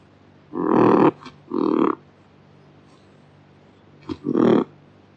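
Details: Kakapo giving short, deep, throaty grunts: a pair of rough bursts near the start, a pause, then another low grunt with a brief lead-in note, against a quiet background hum.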